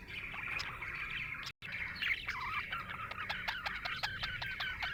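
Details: Happy budgerigar chirping: continuous warbling chatter with many quick clicky notes and rolling twittery phrases, a brief silent break near the middle, faint background noise throughout.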